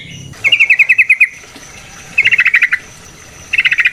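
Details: Yellow-vented bulbul (trucukan), a wild-style song used to provoke other bulbuls into calling. It is heard as three bursts of quick, evenly spaced bubbly notes, the first the longest, separated by near silence.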